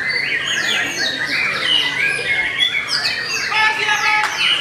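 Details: White-rumped shama of the Belanda type, described as singing steadily, delivering a dense, continuous run of varied whistles, sweeping slurs and chattering notes with hardly any pauses.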